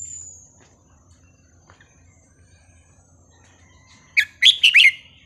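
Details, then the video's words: Red-whiskered bulbul, a cage bird described as singing a wild-style song with a counted phrase, gives a brief burst of four quick bubbly whistled notes near the end after near silence. "นกกรงหัวจุกสายนับดอก เพลงป่า สำนวนเพราะๆ"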